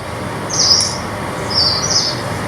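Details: Yellow-browed Warbler (Phylloscopus inornatus) gives two thin, very high, upslurred 'tsweest' calls about a second apart, over a steady low hiss.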